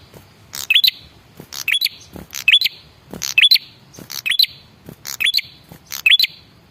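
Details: Lure call of a male red-headed prinia, meant to draw replies from other birds. Bursts of crisp ticking notes end in a thin upward whistle, steadily repeated roughly every second.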